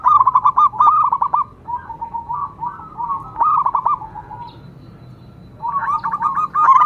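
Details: Local Indonesian zebra dove singing: bursts of rapid, throaty staccato coo notes that roll and bubble together, a quieter murmuring stretch in the middle, then another quick rolling phrase; low background hum.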